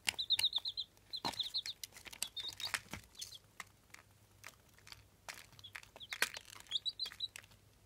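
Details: Jawa Aseel chicks, eight days old and incubator-hatched, peeping in quick high bursts of several notes. Loud crinkling, scratching and tapping from the chicks moving around indoors partly mask the calls.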